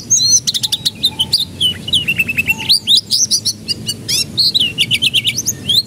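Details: Canary singing as a lure meant to make young birds break into song sooner: quick runs of repeated notes, rolling trills and looping whistles, phrases changing every second with brief pauses.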